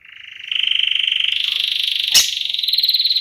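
A canary sings a fast, buzzy trill of rapid repeated notes that climbs slowly in pitch over three seconds, with a brief click partway through.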